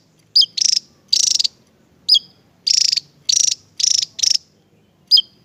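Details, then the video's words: Javan tesia, a bird sought as a tutor for songbirds, gives sharp high notes that drop in pitch, mixed with dense buzzy rattles of rapid pulses. The bursts come irregularly over a quiet background. "burung ini mulai di cari untuk Masteran(tesia jawa)"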